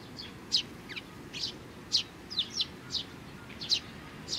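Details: Short bright chirps from Eurasian tree sparrows and their young, 27 June 2019, coming about twice a second, some slurred downward, against low background noise.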